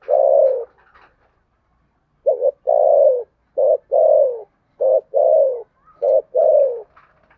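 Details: Spotted dove in contest cooing, Sấm Thổ voice style: deep low coos in a repeated phrase, a short clipped note followed by a longer drawn-out coo, given four times in a row with brief gaps.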